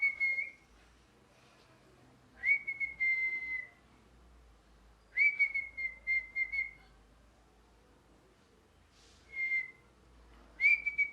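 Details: Parrot chirping: a series of high whistled notes, each opening with a quick upward sweep and then levelling off. Some notes break into stuttering pulses. Pauses of one to two seconds separate them, over a faint background hum.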